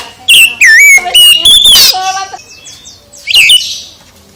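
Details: Oriental magpie-robin singing in the morning: a rapid string of loud whistled slurs and clipped notes, then softer chirping and one more whistled burst.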